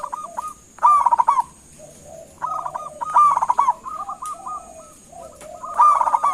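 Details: Zebra dove of the local type calling so that other birds reply: three bouts of rolling, rapid coos followed by clipped repeated notes, about one bout every two seconds, over a constant high-pitched hiss.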